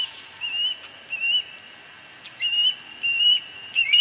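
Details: Osprey at the nest at Dunrovin Ranch on 26 August 2020, around the fourth fish: quieter, high whistled notes with faint overtones, in short bursts about every second, with gaps of quiet between.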